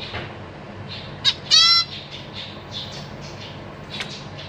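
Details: Zebra finches, a parent pair feeding three juveniles and three newly fledged chicks in a cage: a harsh squawk, then a nasal, buzzy rising call, over faint high cheeping and steady hiss.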